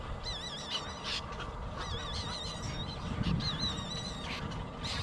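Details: Hungry nestling crying for food from its mother: thin, high wavering cries that wobble up and down in pitch, coming in close series with short pauses, over a continuous low droning background.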